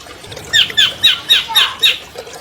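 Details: Albino long-tailed shrike, a champion cage bird, in a training recording for quiet birds: six evenly spaced harsh, slightly downslurred notes, about three per second, after a brief quiet start.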